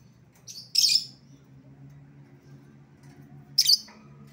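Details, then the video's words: Lovebird lure sound for calling back an escaped bird: two brief, harsh, screechy squawks about three seconds apart over a faint low hum. "suara pikat lovebird yang lepas"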